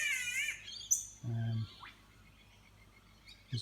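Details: A cockatoo near a front door in Maleny, Sunshine Coast, Australia, after recent rain, gives a brief, harsh, rasping screech, then a low droning hum and a short, thin chirp.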